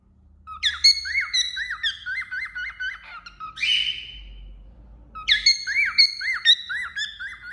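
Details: Cockatiel perched on a finger singing indoors: bright whistled phrases with looping up-and-down notes around a steady high tone, a short rising squawk midway, then the whistled warbling resumes.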